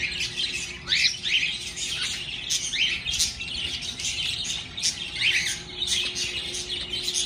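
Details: Household birds waking up happy in the morning, filling the room with continuous high chirping and short rising whistles in overlapping bursts, a low hum in the background.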